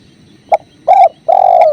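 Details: Spotted dove with river sounds: quick short note, then a steady coo and a long level throaty coo, delivered over a low murmur of water.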